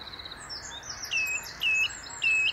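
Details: Singing on top of a tree along the Inn River, a song thrush gives three drawn-out, level whistled phrases in a row, each ending with a slight upward flick, over faint background twitters.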